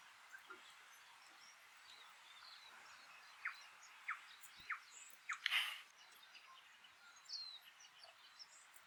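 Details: A New Zealand Bellbird on a farm in the Maungakotukutuku Valley, New Zealand, on an early winter day, gives a few short, clear notes about half a second apart, then a brief bright burst, over a steady background hiss.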